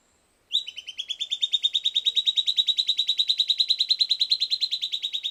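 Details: Silvered antbird song recorded after playback of pre-recorded material, a fast, uniform rattle of high, clipped notes that begins with a slight upward step and runs on steadily for nearly five seconds, swelling slightly in volume.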